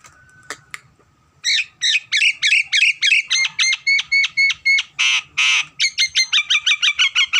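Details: Nias hill myna singing very actively: a fast series of loud, harsh, clipped notes, about four per second, running steadily for six seconds with one longer rasping burst in the middle.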